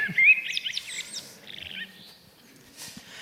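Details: Recorded common blackbird, a forest species very present in gardens, played back at a Paris round table on 29 September 2018: a brief burst of high squeaky twittering notes fading out, with room noise behind.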